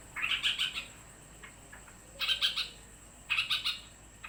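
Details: Yellow-vented bulbul, agitated because another bird has arrived, giving three bursts of rapid chattering, buzzy notes, each lasting about half a second, with pauses between them.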